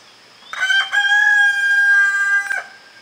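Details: Domestic rooster crowing: a single loud cock-a-doodle-doo lasting about two seconds, starting with a short stuttered note and then holding a long, steady, slightly falling tone full of overtones. The background is quiet.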